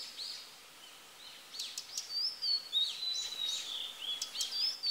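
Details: A singing female Blue-and-white flycatcher (Cyanoptila cyanomelana) gives thin, high chirps and short swept whistles in a quick, uneven stream, some notes overlapping, over a soft outdoor hiss; song.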